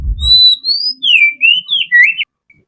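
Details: Relaxed song of an Oriental magpie-robin, known locally as kacer: a dull thump, then a chain of bright whistled notes that rise, dip, and slur downward before stopping abruptly.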